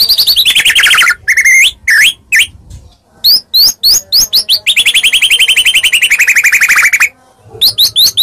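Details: Medan white-rumped shama fighting song to make any shama reply: a long descending rattling trill, crisp rising notes, then a sustained falling trill lasting about two seconds before more sharp notes.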